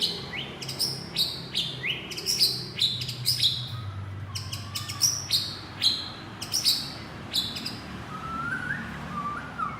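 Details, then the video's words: Male white-rumped shama calling to its partner: a rapid series of high, snappy chirps and clicks repeated about twice a second, then a few soft, lower whistled notes near the end over a low background rumble. "Chích choè lửa gọi bạn - Shama bird calls his partner"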